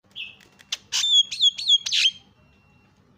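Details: Lure recording of a Javan myna meant to make other mynas call: a soft whistle, a few clicks, then loud rising-falling whistled notes and a harsh burst, ending in quiet.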